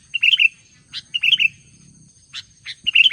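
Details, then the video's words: Albino Sooty-headed bulbul in energetic song, delivering three quick gurgling whistled phrases of warbled notes between scattered sharp high chips, with a soft low rumble in the background. "kutilang albino gacor dor"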